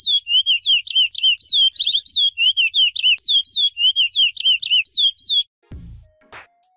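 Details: Chestnut-bellied seed finch delivering its Icoaraci song: about five seconds of quick, looping whistled notes in steady succession, then the song stops and a short burst of handling noise and a click follow.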